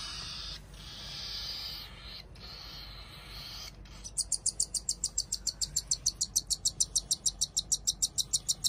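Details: Two baby cockatiels hand-fed as pets, begging: soft harsh rasping at first, then a long regular run of sharp high peeps, about three per second, as they seize the food.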